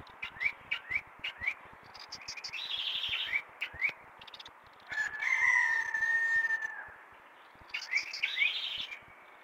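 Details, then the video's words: Chalk-browed mockingbird singing heavily at six in the morning: short rising whistled notes repeated in quick runs, warbled phrases around them, and a long steady tone in the middle of the passage. "Sabia do campo cantando muito as 6 da manha"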